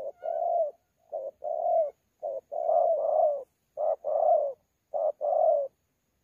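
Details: Contest cooing from a wild-caught 'thổ pha' spotted dove at Sa Thầy on 26 November 2019. Soft low coos arrive in short-long pairs, the long notes gently falling at the end, repeated about five times in quiet surroundings.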